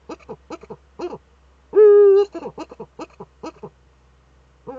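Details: On 5 May 2013 a female Eurasian eagle-owl scratches in her nest niche, recorded by a nest camera in northern Rhineland-Palatinate, Germany. One long, steady, harmonic call is surrounded by runs of short staccato clucks.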